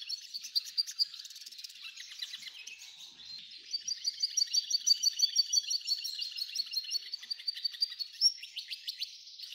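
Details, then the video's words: F1 hybrid goldfinch singing a lot: a quick, high, rolling twitter of chirps and trills that runs continuously, ending with a sharp accented note. "Belo canto do F1"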